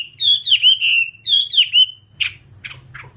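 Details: Whambie on a master training recording: two matching phrases of rolling whistled notes, each trailing into a level whistle, followed by three short harsh chips.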